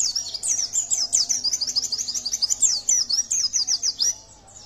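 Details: Yellow-breasted white-eye in full song, played to prompt other birds to sing: continuous high, rapid warbling of quick sliding notes, rich and varied for over four seconds, a faint steady hum beneath.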